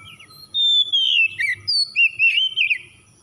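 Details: Oriental magpie-robin song used as a lure to provoke singing: clear, loud whistled phrases, some gliding and some warbled, in bursts from about half a second on, after a quiet start with soft low background hum.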